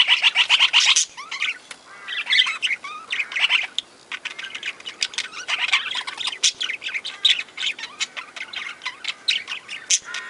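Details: Budgerigars kept in an aviary alongside lovebirds: a loud opening flurry of sharp squawks, then ongoing warbling chirps and scratchy notes from many birds.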